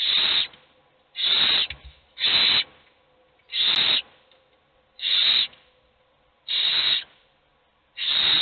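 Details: Hungry owl chicks beg from a nest box as only one gets food: seven breathy hissing screeches, each under half a second, repeated every second or so with silence between.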